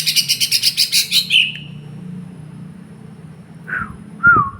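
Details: Song of a lesser green leafbird, described as a 'fighter': a rapid high pulsed trill slurring downward, a pause, then two short down-slurred whistled notes. A low steady hum runs in the background.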